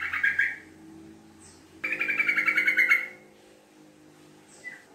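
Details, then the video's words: Sooty-headed bulbul lure call in the long, rapid 'ngekek' chattering style. A short chatter opens, then a longer run of quick, bubbly repeated notes lasting over a second, then a faint note near the end. "Pancingan Trucuk Gacor Ropel Ngekek Panjang"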